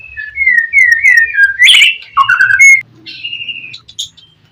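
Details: Oriental magpie-robin in gacor singing style, played to provoke a rival to answer: sliding whistled phrases, a harsh buzzy burst, warbled notes, then a quieter high whistle.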